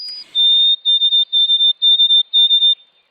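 White-throated Sparrow song: a clear, pure whistle that steps down to a long held note, then a run of quick whistled triplets at the same pitch.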